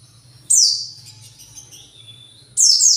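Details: Agitated white-eye seeking its flock gives two loud, high downslurred chirps about two seconds apart, with a faint, thin warbling between them and a low hum underneath.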